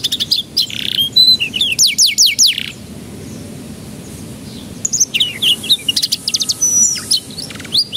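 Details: Lure song of a canary meant to prompt young canaries to begin singing; quick chirps and a run of steep descending notes, a pause with low hum, then renewed rapid trills.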